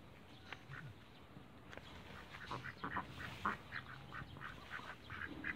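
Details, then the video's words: A flock of backyard Cayuga ducks giving quick, rough quacks in uneven bursts, several overlapping, with a low background hum. "CAYUGA DUCKS BACKYARDS"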